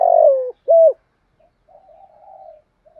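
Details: End of a spotted dove's long rolling coo, then one short clear note, followed by faint, distant low cooing; the calls are used to stimulate contest birds.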